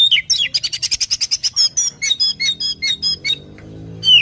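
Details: Oriental magpie-robin (kacer) lure song: a fast run of sharp, high notes about eight a second, then varied clear whistles ending in a falling whistle; faint low hum behind.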